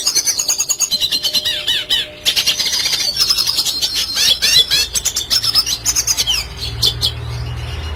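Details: Red siskin, a classic lively singer used to train young songbirds, in a long fast stream of high twittering notes, rising and falling whistled slurs and dense trills, with a faint low hum at the end.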